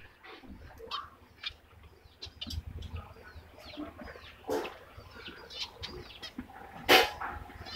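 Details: A white zebra finch gives short, nasal, trumpet-like beeps in quick, uneven bursts.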